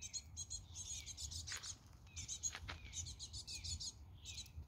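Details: Tit giving rapid bursts of thin, high chirping notes in short clusters, mixed with brief downslurred whistles, with a low steady rumble of background noise throughout.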